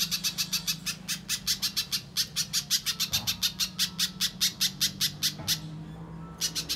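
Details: Lure sound of a little spiderhunter, meant to get raw kept birds calling quickly; a fast run of high, dry, percussive notes at a steady clip, breaking off near the end, with a constant low background drone.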